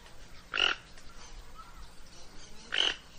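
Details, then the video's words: Toco toucan calling with two short, harsh, croaking grunts about two seconds apart, over a quiet background hiss. "Canto del tucan toco"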